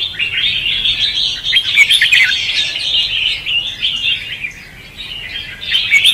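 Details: Red-whiskered bulbul lure song in competitive "ché" and "xòe" style for trapping. Fast, busy chatter of rich warbling notes, loudest around the second second, fading in the fifth before a final bright burst.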